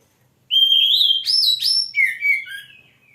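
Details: Oriental magpie-robin singing in full voice: a loud, clear whistled note swelling upward, two higher bright whistles stepping up, then a falling, slightly warbled phrase that fades out.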